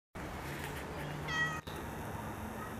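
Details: Common myna (Acridotheres tristis) among groundsel in Kiryat-Yam, Israel, one of several birds present: a single clear, slightly descending harmonic whistled note lasting about a third of a second, set against a steady background hiss.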